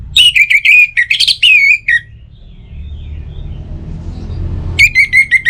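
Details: Orange-headed thrush song used as a morning and evening lure: loud rapid whistled notes in quick runs, a swooping falling phrase, a pause with low background rumble, then another fast run of repeated whistles.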